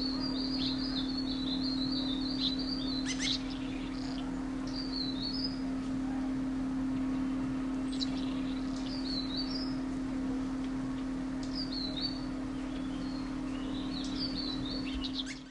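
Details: Dark-throated thrush (Turdus ruficollis) giving thin, high chips in short clusters every few seconds over a steady low mechanical hum, while investigating a hollow in an old maple trunk, Landour, Mussoorie, Himalaya, 26 March 2014, among 200+ thrushes in the ravine.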